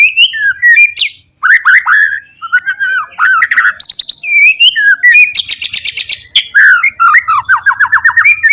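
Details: Lively white-rumped shama song meant to stir up rival birds: varied whistles and warbles, a buzzy rattling stretch, and a closing run of quick repeated chipping notes.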